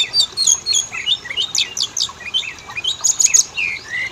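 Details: Singing kacer (Oriental magpie-robin) in a lure recording to trigger males and females: busy mix of sweet high whistles, rapid chattering notes and short downslurs, with two lower rising whistles at the end.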